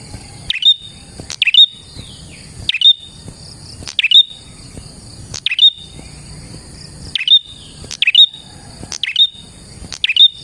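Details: Prinia singing, used to attract wild prinias: rapid series of sharp descending chirps with short whistled endings, roughly every second, over a continuous high-pitched drone.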